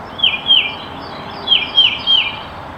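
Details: Tufted Titmouse in the Virginia–Carolinas region sings clear whistled two-note "peter-peter" phrases, each note sliding down, in two quick series over a light background hiss.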